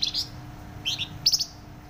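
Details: Loud flamboyan bird chirping in quick, high, bright bursts: three short clusters of sharp notes within two seconds, a steady faint hum below.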